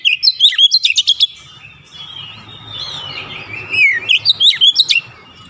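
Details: Oriental magpie-robin in full song, opening with rapid high chirped notes, then a quieter run of sliding whistles before another burst of fast, sharp repeated chirps.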